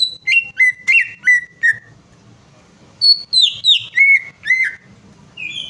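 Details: Greater green leafbird song used as a prompt to get a silent bird singing: loud whistled notes sliding down from high to mid pitch, delivered in two quick bursts of about five notes each, with a short bright phrase at the end.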